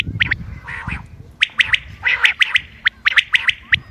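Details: Common quail, 28 May 2025, a hunting lure recording: several soft, hoarse nasal notes lead into quick, sharp pips in twos and threes, delivered in an uneven, busy sequence.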